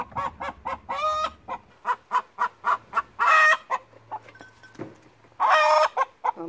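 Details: A garden rescue hen gives her egg song: a run of loud, evenly spaced clucks building into harsh, drawn-out squawks, repeated in quick bursts.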